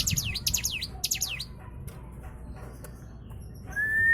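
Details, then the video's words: White-eye song used as a lure to get other birds singing: a brief burst of high, swooping notes dipping and rising, repeated quickly for about a second and a half, then near silence before a steady rising whistle-like tone at the end. "Pancingan cigun dalam hitungan detik burung anda pasti ikut gacorr"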